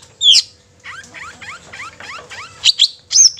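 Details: Song of a long-tailed shrike, played to excite other shrikes into singing and anger: a sharp high note, then five similar upslurred notes in steady succession, closing with squeaky chirps.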